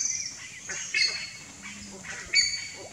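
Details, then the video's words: Young buff-necked ibis begging in the nest, giving high, thin squeaks and scratchy notes; two louder bursts stand out against a steady soft background. "BUFF-NECKED IBIS young in the nest"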